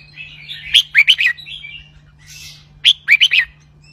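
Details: Red-whiskered bulbul singing in the 'bern roi' doubled style. Two crisp bursts of four bright, rolling whistles are separated by soft warbling and a brief hiss, with a low steady hum behind.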